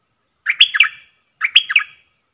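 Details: Caged bulbul singing a duel with wild birds, 3 October 2021. Two short, bubbly phrases of three or four liquid whistled notes, each ending in a drawn-out trailing tone, half a second apart.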